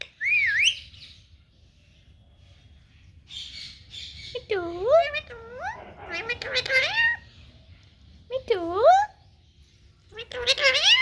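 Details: Indian ringneck parakeet talking in Punjabi during a bath, giving separate bursts of wavering, nasal, harmonic speech-like phrases and squawks with pauses of a second or two between them, over a quiet low hum.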